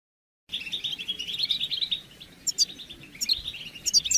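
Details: European goldfinch mating calls for stimulating males to sing during moult: an unbroken stream of rapid, jingling twitter, with sharp, high, down-slurred notes cutting in at intervals, over a steady hiss.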